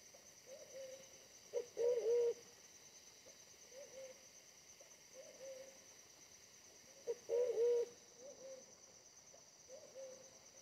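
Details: Wild pigeon during decoy trapping, fierce despite a smaller body than the decoy: two strong wobbling coos about five seconds apart, separated by several gentle low hums, steady insect drone throughout.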